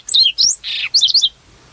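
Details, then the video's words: Wild prinia singing: three quick bursts of high, squeaky whistled notes in under a second and a half, then quiet. "kicauan burung berkecet di alam bebas"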